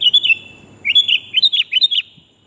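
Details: A female sooty-headed bulbul calls the male, recorded to lure birds: a brief run of bright chirps, then a quick string of rising and falling chirped notes.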